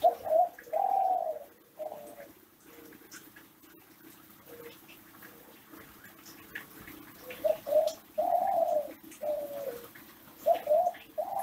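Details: Captive ringneck dove in Indonesia singing the classic Kelantan coo, used to prompt other doves to call: bursts of short and long coos at the start and again after a quieter spell, over a faint continuous hum.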